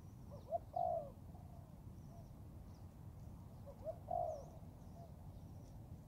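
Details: In forest training, a young Thai-type spotted dove gives two spaced phrases, each a brief soft note then a longer, somewhat quieter coo. Faint high chirps from other birds sound throughout.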